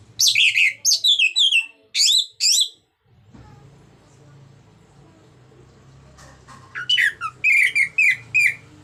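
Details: Orange-headed thrush, used as a song lure for silent birds, gives rich scratchy warbled phrases in bursts, falls quiet for about three seconds over a low hum, then resumes with quick chattering whistled notes.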